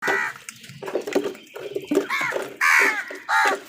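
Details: Crows fighting with wild birds for food give harsh, nasal caws with rich overtones. The calls come in uneven bursts, with two loud drawn-out caws near the end, over a busy background of other bird noise.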